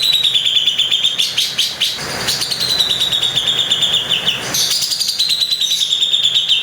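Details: Grey-cheeked bulbul (cucak jenggot) from Bali giving its rough 'tembakan' bursts, recorded as a tutor track: loud, high, rapid pulsed chatter held steady, then broken by harsh noisy bursts before resuming.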